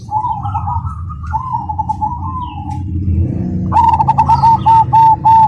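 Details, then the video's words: Cemani black zebra dove singing with a rhythmic, strong, clear voice: long wavering coos give way to a crisp, regular run of stuttered coo notes, over a steady low hum. "Perkutut Cemani Gacor Suara Berirama Besar Lantang dan Jernih"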